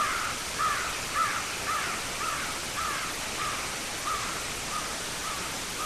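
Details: Bald eagles at a nest high in a white pine on the Hancock County coast of Maine, a faint run of short squeaky chirps nearly twice a second, half buried in broad surf-like hiss.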